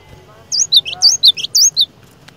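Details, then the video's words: Short phrase from a lure cinereous tit meant to make other tits sing: four quick paired whistles alternating a high swooping note with a lower one, over faint low background hum. "Kicauan Glatik Batu Pikat Gacor Door, Cari LAWAN...!!! Dijamin Cepat Bikin Glatik Lain Bunyi Gacor"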